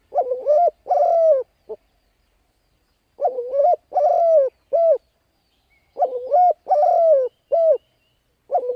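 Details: Spotted dove's urging coo for luring wild birds: a three-part phrase repeated roughly every three seconds, with a wavering opening coo, a long falling coo and a short clipped closing note, clean and close.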